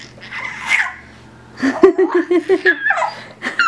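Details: Pet parrot playing with a newly discovered sound: a scattered chatter, then a quick run of about six even, bouncy, laugh-like notes, followed by squeaky whistled fragments; a person says a word just before.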